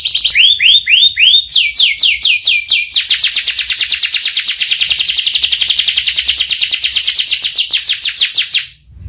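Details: Canary singing a long rolling song with a rich, varied repertoire: a few slow descending whistled sweeps, then a fast continuous trill of rapid repeated notes held for over five seconds before fading out.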